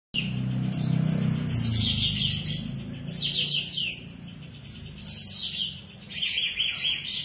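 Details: Tame, vigorously singing sooty-headed bulbul used as tutor material for white-rumped shamas: dense, high, buzzy chattering phrases in bursts with short pauses, over a steady low hum.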